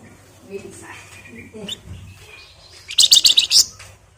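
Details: Flamboyan trilling densely, nyerecet style, for use as a lure: soft scattered twittering and faint low noises first, then a loud, fast series of about six shrill rattling notes.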